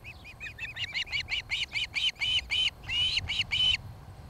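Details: Osprey calling at its nest in Charlo, Montana, evening of 26 July 2018 on a nest camera: loud, ringing whistled chirps, quickening and growing stronger, about four per second, the final notes longer and piercing.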